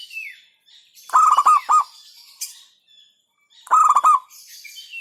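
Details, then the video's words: Zebra dove of local stock singing in the 'hentakan' style. Two strong bursts of rapid, stuttering coo notes about two and a half seconds apart, with faint background chirps and a brief descending whistle. "Hentakan Burung Perkutut LOKAL Suaranya Berkelas"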